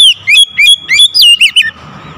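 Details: Loud calling of an Oriental magpie-robin, a rapid string of bright whistled notes that sweep up and down, about six or seven phrases packed into under two seconds before fading to quiet.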